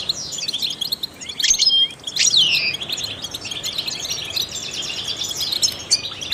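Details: Trained goldfinch song meant to stimulate songbirds: high twittering chirps with a long downward-sweeping whistle near the start, then steady rapid tinkling trills to the end.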